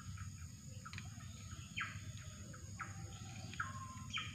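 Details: Drongo calling while being lured for trapping: short sharp chirps that sweep downward, repeated about every second, with faint clicks between them and a steady low rumble beneath.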